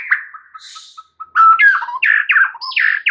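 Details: A white-rumped shama sings at morning: a soft, thin trill dwindles to silence, then loud, slurred whistles and harsh chattering phrases burst out in quick succession.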